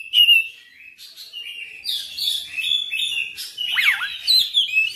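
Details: Oriental magpie-robin singing insistently in a full repertoire display: a loud opening whistle, then a run of varied high whistled phrases and short chirps, with a quick sweeping trill near the end.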